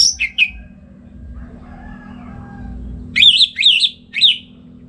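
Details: Orange-headed thrush (anis merah) kept at home in Singaraja, North Bali, singing in the morning in ngeplong style as a master for other songbirds: a high descending whistle with short notes, a pause, then three slurred warbled phrases.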